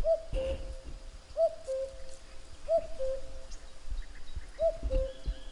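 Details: Cuckoo song: four clear cu-coo pairs, each a short higher note falling to a longer lower tone, spaced roughly every 1.5 seconds over a soft background of distant bird notes and low noise.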